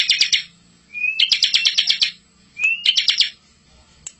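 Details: Bar-winged prinia tutoring song for young birds: short buzzy rattling trills, each after the first led by a rising whistle, delivered roughly every one and a half seconds.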